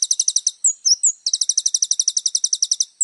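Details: Little spiderhunter singing vigorously in a full, varied song: fast trains of high, sharp doubled chips repeated about eight per second, broken by short slurred whistles. No other sounds.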